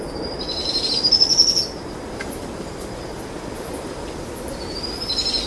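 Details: High rapid trilling from two powerful owl chicks begging as their mother feeds them possum at dusk, one trill of about a second early on, then a quiet stretch with a faint steady whine and another trill starting at the end.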